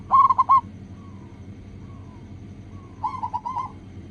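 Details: Zebra dove of a local strain singing as a lure to get other doves calling: two bursts of quick, bubbling cooing notes separated by a pause filled with faint, drawn-out softer coos, low hum underneath.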